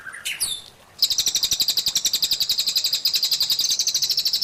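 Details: White-rumped shama on a training recording for caged birds: short whistled notes, a brief gap, then a fast run of high ticking notes, roughly four per second, continuing to the end.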